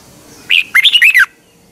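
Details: Red-whiskered bulbul, Thailand, in a recording played each morning to caged birds: a mellow whistled note leads into a tumbling sequence of four cheerful, warbled notes closing on a downslurred tone.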